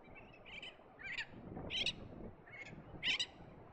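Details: Red-tailed tropicbird during courtship flights in sea breeze over the cliffs of Lord Howe Island; five harsh, grating calls spaced about half a second to a second apart over steady low wind rumble.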